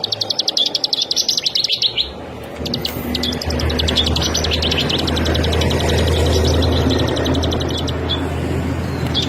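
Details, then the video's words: Bar-winged prinia singing in rapid ngebren style: fast bursts of high, evenly repeated dry notes for two seconds, then scattered chirps and more quick phrases over a steady low rumble of background noise. "SUARA BURUNG CIBLEK SAWAH"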